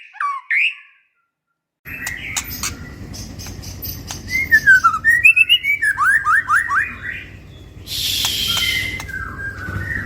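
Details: White-rumped shama song played to lure captive birds into singing: varied whistled notes and quick repeated upward slurs over a steady low hum, with a burst of hissing noise late on.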